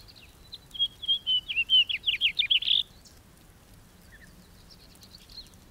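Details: House finch sings a two-second jumbled warble of high slurred notes ending in a buzzy burst; quieter distant chirps follow in the silence afterward.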